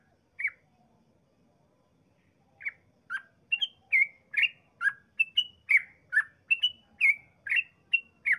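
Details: One chirp, a pause, then a lively sooty-headed bulbul phrase of bubbly notes bouncing between pitches, intended to provoke neighbouring bulbuls to sing.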